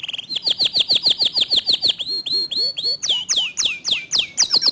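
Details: Singing local canary, clear-toned, in the rapid dense 'tembakan' style: a string of slurred whistles rising then falling, followed by sharp, steeply descending notes at a quick pace.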